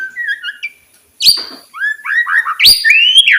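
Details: White-rumped shama singing, played to tempt silent shamas to start singing: varied clear whistled notes, sliding up and down, broken by two loud harsh bursts, ending in a rich rising whistled phrase.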